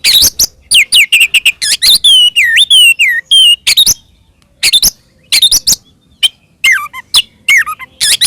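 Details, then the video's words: Oriental magpie-robin's aggressive fighting song, used to provoke rival magpie-robins; loud bursts of sharp, high chirps and whistled slurs dipping and rising, with short pauses between phrases. "kacer gacor NGEPLONG TARUNG ini paling AMPUH buat PANCINGAN KACER agar EMOSI NYAUT"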